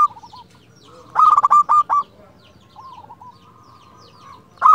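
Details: Local zebra dove with a clear voice calling out to a rival, giving a soft drawn-out coo, then a tight burst of quick clipped notes, another low gliding coo, and a loud note cut off at the end.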